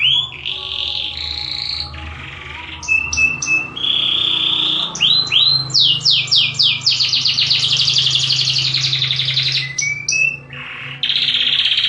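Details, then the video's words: Canary singing, among all canary types: varied phrases of level whistled tones, clipped notes and fast falling sweeps building to a dense trill, with a low hum beneath. "تغريد مع جميع أنواع طيور الكناري"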